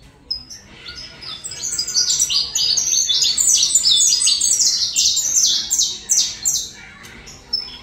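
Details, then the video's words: Colombian-style saffron finch song: a soft start rising into a sustained, rapid chain of bright downward-slurred chirps, fading to a few scattered notes. "Canto canário da Terra Colômbia"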